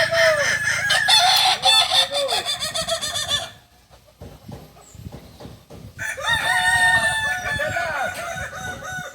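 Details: Kukuak Balenggek rooster, an ornamental breed native to Solok, West Sumatra, at a practice crowing contest; a loud, harsh, harmonically rich crow of repeated bouncing notes, a near-silent gap, then another long, stepped crow.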